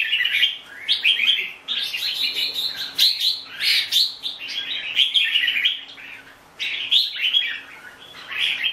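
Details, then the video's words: Red-whiskered bulbul repeating varied warbled phrases about every two seconds, cheerful and whistled, with a longer pause before the final bursts. "Chào mào bông"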